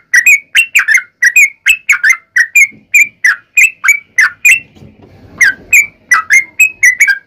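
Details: Sooty-headed bulbul, trucukan, in fighting 'tarung' and long 'ropel' song used as a lure to make other bulbuls answer; loud rapid bubbly whistled notes around two kilohertz in quick bursts, brief pause midway with faint low background rumble.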